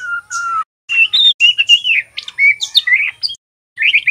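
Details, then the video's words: Juvenile male white-rumped shama learning its 'ngeriwik' sound, used to prompt birds to sing; a low held whistle, then quick, varied chirping whistles, a short pause, and a closing burst of chirps. "SUARA MURAI TROTOL belajar bunyi ngeriwik"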